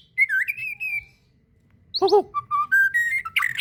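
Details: White-rumped shama (murai batu) fighter-style masteran song: a warbling whistled phrase, a quiet pause, a lower burst of harsh notes, then a series of steady whistles stepping upward.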